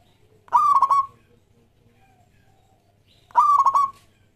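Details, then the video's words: Zebra Dove (local perkutut) singing as a lure for other doves. Two stuttered coo phrases nearly three seconds apart, each a clear note that breaks into quick pulsing beats. Faint low hum between. "Perkutut Lokal Gacor Suara Yang Pas Buat Pancingan"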